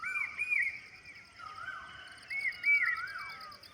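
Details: Indian peafowl in a village setting giving two bursts of loud, nasal wailing notes that rise and fall, over a steady high insect buzz.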